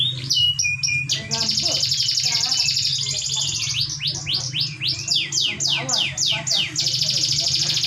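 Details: Canary song meant as a lure for a direct response from other canaries: short chips and a brief trill, a long high rolling trill, a series of rapid falling sweeps, then another sustained trill, over a low hum.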